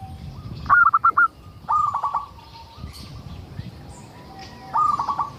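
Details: Zebra dove of local type singing as a lure for other doves: three phrases of rapid clipped notes, the first two close together, separated by faint sustained tones and light background chirping.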